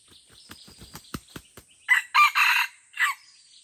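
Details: Rapid clicking and tapping sounds, then a loud four-part harsh crow from a Red junglefowl fighting in the Lamteuba jungle, Aceh; faint insect whine throughout.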